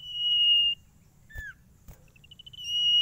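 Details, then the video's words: A Sirtu holds a steady high trill, adds a short downslurred whistle, then gives a series of accelerating notes that run into another sustained trill; faint knocks in between. "SIRTU GACOR ANTI STRES !! FULL VARIASI SUARA CIPOW GACOR DOR"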